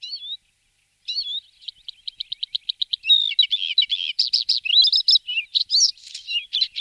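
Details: Bluethroat song: a short whistle, then a rapid, accelerating series of ticking notes that breaks into varied, buzzy and squeaky phrases.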